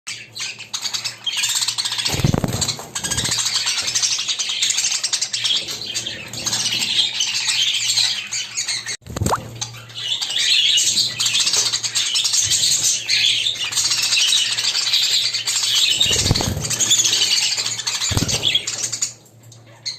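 A flock of budgerigars chirps and warbles continuously in busy, overlapping high-pitched chatter.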